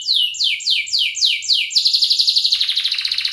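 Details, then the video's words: Canary in 'ngerik' and 'ngerol' style, a lure song for young canaries learning to sing: loud downslurred whistles repeated about every third of a second, flowing into a rapid rolling high trill. "Kenari gacor NGERIK Cuit Cuit Ngerol nembak - Pancingan kenari paud belajar bunyi"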